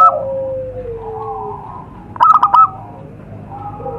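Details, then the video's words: Wild zebra dove heard in nature, used as a lure sound: a brief burst of three or four soft, low cooing notes near the middle, amid steady, drawn-out tones and faint background hum. "suara pikat burung perkutut di alam"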